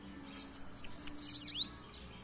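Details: Bananaquit song: about five rapid, very high thin notes running into a dense buzzy trill, closing with a lower arched sweep; quiet low hum underneath.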